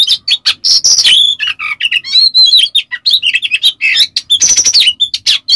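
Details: Lure song of an Oriental magpie-robin full of coarse harsh phrases: rapid chattering, scratchy notes interleaved with brief whistled slurs, delivered almost without pause.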